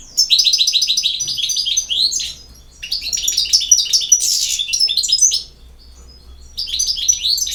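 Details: European goldfinch singing: two long bursts of fast, liquid, high twittering with tinkling trills and buzzy notes, split by a short pause, with no other clear sounds.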